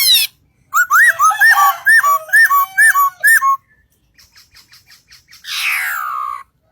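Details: Singing bird delivers a rhythmic string of looping whistled notes, roughly two a second, followed by faint rapid ticks and a drawn-out harsh descending rasp.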